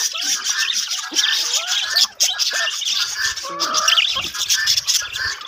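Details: Colony of budgies in a breeding setup, continuous busy chatter of many birds with warbled, rising and falling notes and scratchy squawks layered together.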